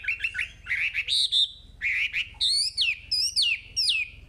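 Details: A hwamei in energetic song, used as a lure to train young caged birds: quick slurred whistles climbing in pitch, then loud, repeated rising-and-falling whistled phrases at about half-second intervals.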